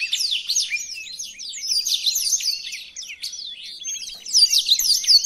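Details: Blackthroat song for tutoring other birds: varied high chirps and whistled slurs in a rapid flow, with a brief trill in the middle. The song grows louder and more intense toward the close.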